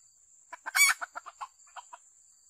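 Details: A red junglefowl kept as a decoy bird, noted for its very good voice, gives a short, clipped crow: one loud harsh burst, then a quick run of shorter clucking notes, over a steady high insect whine.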